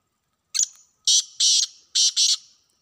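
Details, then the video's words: Wild black francolin, recorded while being hunted, giving a loud grating phrase: a short scratchy opening note, then four harsh rasping notes in two pairs, all in clear quiet surroundings. "جنگلی کالے تیتروں کی آوازیں"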